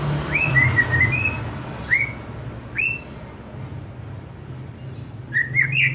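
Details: Young wild white-rumped shama, with a released juvenile, luring birds to sing loudly; clear upslurred whistles spaced about a second apart, ending in a quicker warbled pair, with low rumbling background hum.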